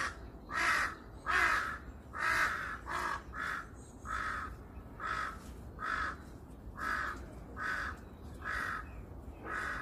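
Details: Repeated hoarse cawing from crows on a Seongbuk-dong hillside in Korea, about a dozen raspy calls in steady rhythm, the first few louder and closer, the later ones slightly softer, with constant faint background noise.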